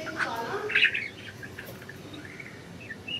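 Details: Loose-flying budgerigars produce one loud buzzy chirp burst early, then quieter scattered tweets and soft whistled notes over steady background noise.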